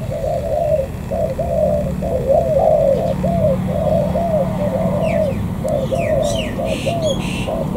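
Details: Wild-caught spotted dove from the An Giang border-gate area, Vietnam, cooing steadily: a near-continuous run of soft, low, hollow coo notes in rolling phrases, with brief higher chirps from other birds late on over a low background hum.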